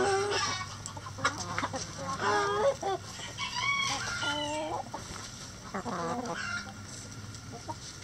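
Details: In a backyard chicken coop, a rooster gives a long, stepped crow near the middle, the strained notes wavering before trailing off. Hens keep up busy clucking throughout, with a faint low hum underneath.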